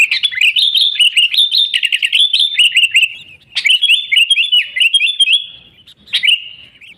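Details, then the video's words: Lively 'gacor' singing of a sooty-headed bulbul, unmixed and used to attract wild birds to a trap; rapid strings of high, bouncing chirps come in three bursts separated by brief pauses. "Suara Burung Kutilang Gacor ASLI Tanpa isian, Ampuh untuk Pikat Kutilang bikin kutilang Ribut gacor"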